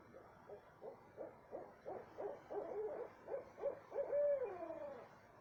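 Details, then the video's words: Owl calling in the dark at 2:30 am, south central Texas: evenly spaced hoots speeding up into a quick volley, capped by a long, held, descending note. "what kind of owl makes noise like this"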